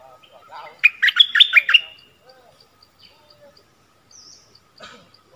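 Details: Bulbul decoy bird, a Cream-vented Bulbul, luring wild birds in March 2021: one intense chattering burst of quick, liquid notes near the start, followed by faint distant calls and soft regular ticking.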